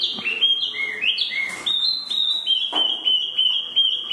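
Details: Spot-throated babbler (tieu mi) song opening with stepped whistled notes, then a long steady series of short clear whistles repeated about three times a second.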